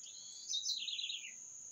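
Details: Bird song: a short bright phrase of about 0.8 seconds that slides downward in pitch from high to mid range, over a steady, continuous high-pitched insect-like tone.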